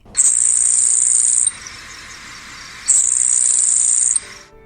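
A Grasshopper Sparrow gives two thin, very high, insect-like buzzes, each over a second long and about three seconds apart.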